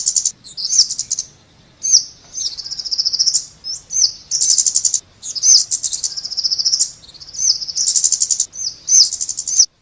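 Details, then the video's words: Scarlet-backed flowerpecker singing continuously: high, piercing thin notes mixed with fast buzzy trills, phrases of one to two seconds following one another with barely a pause. "เสียงนกชมพูสวน Scarlet-Backed Flowerpecker Sound"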